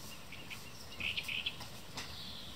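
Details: Eurasian coot (Fulica atra) chicks, learning to fend for themselves, give a brief run of four or five thin, high peeps within half a second over a steady background hiss.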